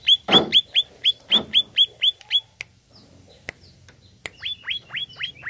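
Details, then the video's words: Cucak ijo, the greater green leafbird, singing to provoke a caged bird of its kind. Quick runs of sharp down-slurred whistles at a steady pace, a few low thumping sounds early on, a gap with clicks, then more slurred whistles. "HANYA PLAY CUCAK IJO INI UNTUK PANCING EMOSI IJO ANDA"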